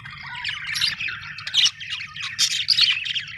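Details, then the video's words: Happy budgie chirping: a short, tumbling burst of raspy warbles and squeaky high notes, swelling in loudness toward the end, over a light low hum. "happy budgie chirping sound"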